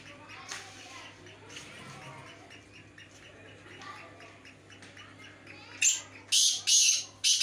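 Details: Black francolin in a performance check against a rival francolin: after several seconds of faint murmuring background and low hum, a series of four loud, harsh, grating bursts close together near the end.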